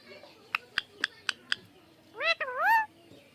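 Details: Pet talking parrot: five sharp, evenly spaced clicks, then a loud, harmonic, whistled call that rises, dips and swoops up again for under a second over a quiet room.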